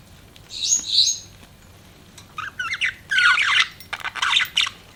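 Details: Pet budgerigars chirping in short, scratchy warbled bursts, a brief high buzz first, then several clusters of rapid squeaky notes after a pause.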